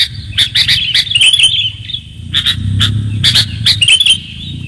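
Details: Sooty-headed bulbul chirps used as a lure: a quick cluster of bright bubbly notes, a pause, then more sharp chirps, over a stronger low humming noise.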